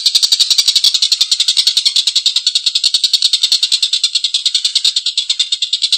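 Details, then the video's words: Rough, extended laughing call of the Collared kingfisher: rapid harsh kek-kek-kek notes, loud and grating, repeated at about three per second, the pulses slightly less regular toward the end. "Suara tengkek buto||masteran burung gacor ngekek panjang suara kasar"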